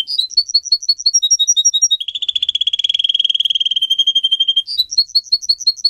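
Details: Singer canary song, kept as a pet and played to teach canaries to sing: quick sharp chips open it, then a long buzzy rolling trill, before the sharp chips return.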